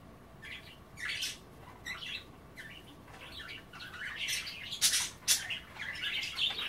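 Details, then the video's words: Pet budgerigars at bath time, nibbling kale in water, chatter in scratchy, squawky bursts with warbled notes, quiet at first and growing louder toward the end, with brief gaps between phrases. "A day in the life of a Budgie - kale bath and chattering"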